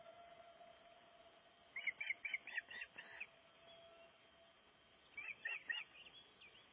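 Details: Osprey breeding in Gribskov, Denmark, calling at the nest while building it: quick runs of clear, whistled notes, about five in a row, then a pause and three more, with a faint steady hum underneath.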